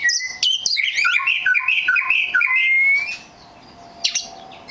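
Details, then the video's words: Very rare black magpie robin singing a run of quick, rising and falling whistled notes that ends in a long clear upslurred whistle, then falls quiet except for one brief sharp chirp. "The rare black Magpie Robin"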